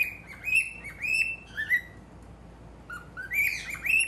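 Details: A male cockatiel kept as a pet calls at a mirror in rapid whistled chirps with harmonics, a cluster at first, a pause, then a rising run of notes at the end.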